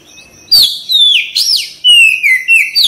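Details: Oriental magpie-robin (kacer) in a recording meant to spur other birds to respond and sing; loud clear whistled phrases, sliding down and swooping up, in bursts after a short quiet start.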